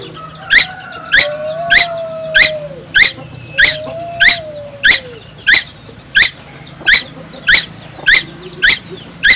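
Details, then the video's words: A young tuwu on Timor Island keeps up a rapid series of rasping, downward-buzzing notes, about fifteen at a steady pace. Soft arching whistles sound behind, and a low hum persists throughout. "burung tuwu Pulau Timor gak pernah diam"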